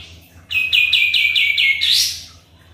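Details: Sooty-headed bulbul singing eagerly as a lure: one loud phrase of six quick, clear notes stepping slightly downward, finishing with a bright upward-swept note; faint low hum throughout.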